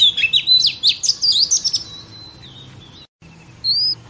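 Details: A female oriental magpie-robin, used to excite male pet birds, gives a quick series of sharp rising and falling whistles, then a drawn-out fading tone and, after a brief break, one clear rising whistle.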